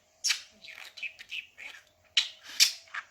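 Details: Talking budgerigar indoors, practising new words and laughter: rapid, hoarse, chattering syllables of a mimicked phrase, a pause, then sharper, higher clicks and squeaks, over a thin steady background hum.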